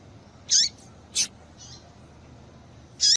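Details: Female Yellow-bellied seedeater, calling to stimulate males: three crisp high chirps, the first and last with a lower curling tail, a faint buzzy note between, over light hiss.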